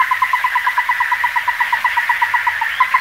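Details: Ruddy-breasted crake: a steady, rapid series of short, hollow, evenly pitched notes, about seven each second, running without a break for three seconds over faint low background hum.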